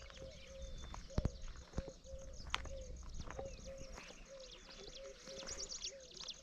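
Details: Walking through dry scrub and grassland at Challakere, the recordist hears what is probably a spotted dove. It repeats soft, low coos at a steady pace while other birds chirp high above, with peacocks around, wind rumble and handling knocks.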